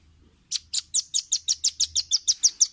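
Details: Velvet-fronted nuthatch on a clear training recording for caged birds, giving an even, rapid series of about twelve piercing, high chip notes, roughly five per second, after a short pause.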